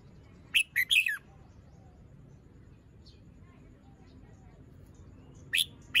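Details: Caged red-whiskered bulbul in morning song, fluffed up, still moulting, crest not yet full; a quick burst of three or four loud, rich whistled notes, then a long quiet gap before another short phrase near the end, with soft background hum.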